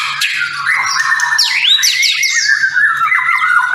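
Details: Lure song of a white-rumped shama, meant to provoke other shamas into full, loud singing with mimicked phrases: a dense, continuous stream of rich whistles and swooping slurs, some sliding high and others dropping, with a low steady hum beneath.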